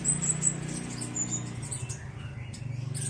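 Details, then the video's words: Tame, speckled-plumaged captive black sunbird, actively calling while training its song: a run of very high, thin, quick chirping notes, then scattered high twitters over a steady low hum. "Kolibri Black Sunbird Trotol Lulut Melatih Bunyi"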